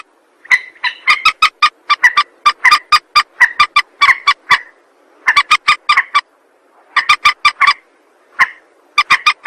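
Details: Rail used as trapping lure, giving rapid, staccato notes in runs of about ten, each run lasting around a second and a half, broken by brief pauses.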